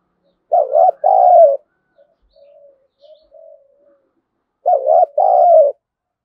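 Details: Lure spotted dove, used to provoke wild doves to fight, repeats its double coo twice, a short bent note and a longer falling one, with faint quiet hums in the gap.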